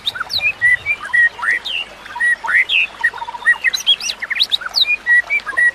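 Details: A white-rumped shama's song for teaching other shamas to sing: rich whistled phrases mixing flat pure notes, swooping slurs and clusters of sharp high chips, delivered briskly over a soft continuous hiss of running water.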